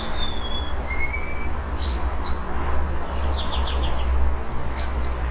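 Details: Eurasian blackbird in a yard in Portugal, a tame bird that has nested there twice, giving a rare low-volume imitating song at day's end about 5 meters away; sparse high thin whistles and short trilled bursts over a steady low rumble.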